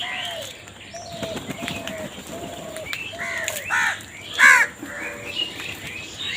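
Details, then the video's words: Crow calling amid a compilation of crows fighting for food: two loud, harsh, rasping caws near the end, preceded by softer, lower whistled notes and scattered thin chirps from other birds over steady background hiss. "Crow Bird Crowing Sound কাকের ডাক"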